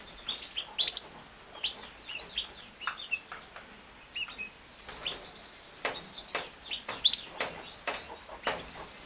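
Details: Yorkshire canary, also called king size canary, singing: bright, scattered high chirps and short sweeping notes, some sharp and clipped, rising into brief loud bursts near the first and seventh seconds, with quiet gaps between phrases.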